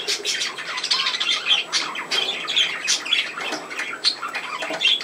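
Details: Playing pet budgies in a room keep up lively, high chirping and scratchy warbles in quick, overlapping bursts.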